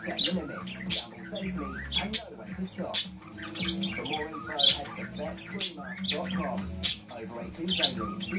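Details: Pet budgerigar grumbling indoors during quarantine: a continuous low, warbling chatter of twisting harmonic notes, broken by sharp, bright squawks about once a second.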